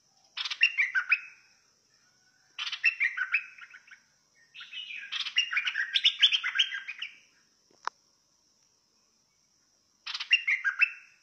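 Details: Bulbul in the fierce singing style, giving four bursts of rapid, chattering warbled notes, one long rambling phrase in the middle, over a steady high-pitched hum.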